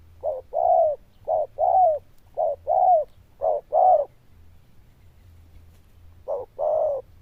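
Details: Zebra dove with a strong, bell-like voice and quick delivery repeats paired coos, a short note and a fuller one, four pairs in a row, a pause, then another pair.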